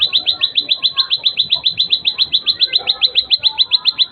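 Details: Plain prinia singing a rapid, even series of high, clipped tsip notes, about three and a half per second, unchanging in pitch, over a low, faint background hum.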